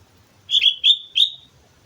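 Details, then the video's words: Sooty-headed bulbul in lively song at Mount Slamet, with three clear whistled notes, the middle one dipping and the last gliding slightly upward, against a quiet background. "suara burung kutilang gacor gunung slamet"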